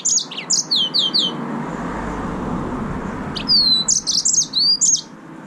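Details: {'caption': 'Yellow-fronted canary, also called green singing finch, singing: quick bursts of high sweet whistled notes and sliding trills, two phrases separated by a pause of about two seconds, over a faint low hum.'}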